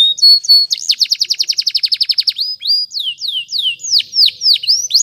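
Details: Canary singing a training song. Short whistled notes open into a long, fast, even rattle of rapidly repeated notes, then a string of loud swooping whistles at a slower pace.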